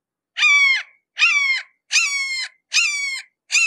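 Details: Red-shouldered hawk calling at close range: a series of five loud, harsh, slightly descending kee-ah notes, each about half a second long and roughly 0.8 seconds apart, with no other sounds.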